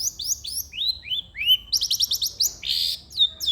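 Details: Long-tailed shrike in full, lively song, used to prompt lazy shrikes into singing: a fast medley of high whistled slurs and sweeping upward notes, then a run of quick chirps, a burst of rasp and a falling whistle.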